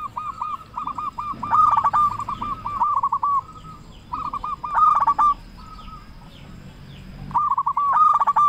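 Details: Local zebra dove in full, loud song, used as a lure to make other zebra doves sing. Bursts of quick, hollow, bubbling coos start and stop in phrases, with a faint steady high whine behind.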